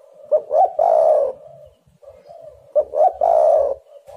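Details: Spotted dove cooing, intended to lure doves into calling: two matching phrases about two and a half seconds apart, each two short upslurred notes then a long, rough, mellow coo trailing softly away.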